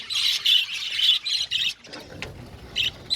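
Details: Budgerigar colony chirping in an aviary: a run of five or six harsh, rasping squawky bursts in quick succession, then a quieter pause before two more short bursts.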